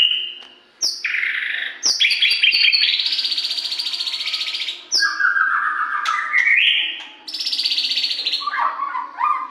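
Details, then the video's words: White-rumped shama song, compiled to stimulate captive birds to sing: loud, varied run of clear whistled phrases, some sustained and buzzy, others sliding sharply up or down, with brief pauses between bursts. "SUARA LANTANG AMPUH MERANGSANG MURAI CEPAT GACOR"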